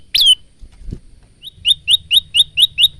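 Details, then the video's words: Male bar-winged prinia, recorded by phone as a tutor song for cage birds: one loud sweeping chirp, a short pause with a faint knock, then seven lighter rising chips at a brisk even pace over low hum. "masteran handal burung prenjak lumut"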